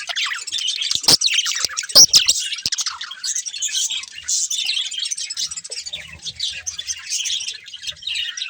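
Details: A breeding pair of budgies chirping as they eat, high warbling chatter opening with sharp clicks and pecking taps, then steady twittering.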